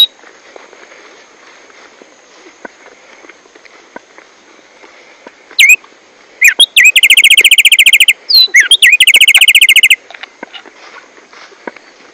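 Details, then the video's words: A Rufous-collared Sparrow (tumba yegua or tico tico), known for a constant, dominant, strong song, sings slurred whistles, then two fast, high, dry trills over about four seconds, loud and somewhat distorted, over a steady insect-like hiss. "TUMBA YEGUA O TICO TICO / BirdSong"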